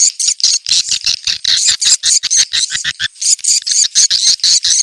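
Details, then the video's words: Swiftlets in a location-check call, used to draw birds in and make them gather: dense, high, clicking twitters repeated about twice per second, bright and sharp throughout, with no other sounds. "Suara ceklok burung walet terbaik"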